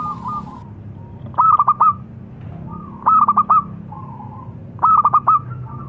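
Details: Zebra dove of local stock singing a staccato phrase of four or five clear cooing notes, repeated about every one and a half seconds, softer drawn-out coos between phrases.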